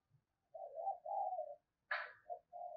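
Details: Caged lure spotted dove used to attract wild doves, giving low mellow coos: a long wavering coo followed by a brief harsh burst and two shorter coos.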